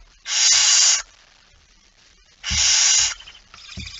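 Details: A male barn owl brings in a mouse late at night, 17 September 2019, 23:55; two loud, rasping hiss bursts under a second long, separated by a two-second pause, with soft knocks and scuffling afterwards.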